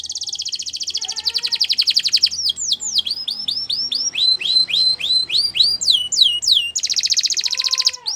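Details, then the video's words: Belgian canary in full song: a dense high rolling trill, then a long series of sharp repeated down-sweeping whistled notes at a quick even pace, returning to a rapid buzzing trill near the end. "Belgian canary singing"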